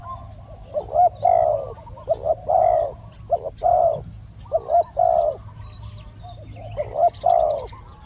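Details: Spotted dove cooing during decoy trapping: a decoy bird calls to lure a wild bird, which has a small voice. Low, hollow coos come in phrases of two to three notes, repeated steadily, with faint chirps of small birds higher up.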